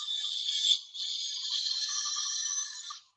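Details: A young Barred Owl's begging call for food: two long, harsh, hissing rasps with a brief break, the second lasting about two seconds and rising at the end like a question.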